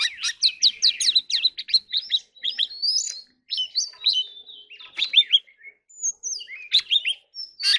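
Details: Oriental magpie-robin (kacer) giving a fast chattering 'hót líu' song of crisp chips, short trills and varied whistled phrases, heard a little more distantly, with brief breaks between phrases.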